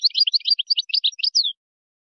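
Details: A European goldfinch sings one continuous phrase of quick, chattering high notes that ends in a downward slur. The song is in the Moroccan wiydani style, meant for tutoring goldfinch chicks and hybrids.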